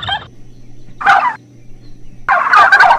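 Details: Turkey calling in loud harsh gobbling bursts separated by a steady low hum, the last burst longest and most rattling.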